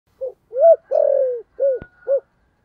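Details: Spotted dove cooing in the deep 'thổ' voice style: a short note, a longer arched coo, a long rolling coo sliding down, then two short coos, low and hollow, with a faint click near the end.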